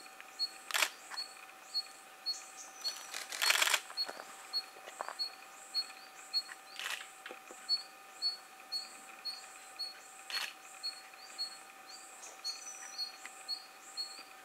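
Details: A Red-throated (Red-gorgeted) Flycatcher in Thailand gives high, thin chip notes about twice a second, with loud camera shutter clicks now and then as it is photographed.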